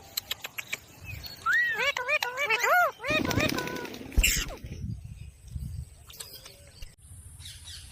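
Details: Talking Alexandrine parakeet in natural sound: a burst of arched, whistled, rise-and-fall notes repeated about six times, then a harsh noisy passage and a quieter stretch with faint chatter.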